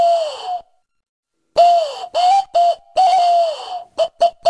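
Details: A tawny owl (Strix aluco) lure call: hollow, wavering hoots at a steady mid pitch, a long falling note followed by several shorter notes close together.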